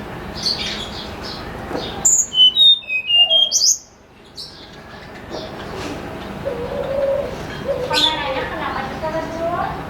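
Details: Snowy-browed flycatcher in the morning, used as a lure: a crisp sequence of high, piercing whistles sliding downward, then quiet, then softer chatter and a low cooing bird in the background.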